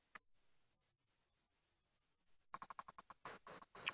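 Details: A bearded woodpecker knocking in the distance at dawn during a January 2017 safari drive in South African bushveld: a quiet opening, then a burst of sharp, dry, uneven taps, several per second, for the last second and a half.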